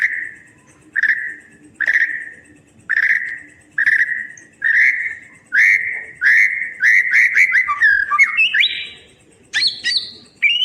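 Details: White-rumped shama song to tutor birds that stopped singing: a series of clear downslurred whistles about once a second, gradually speeding up into quicker varied whistled notes and upward sweeps.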